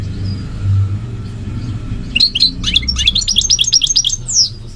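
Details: Low rumbling background for two seconds, then a goldfinch breaks into quick, bright twittering with slurred notes and a short rapid trill.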